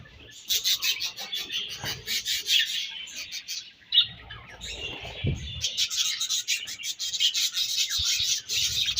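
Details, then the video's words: Budgerigars during breeding season chirping sweetly, a dense continuous stream of high, scratchy, rapid warbling chatter with clicks and short squeaky notes, nearly unbroken throughout. "Budgies Breeding Season and Sweet Chirping Sounds"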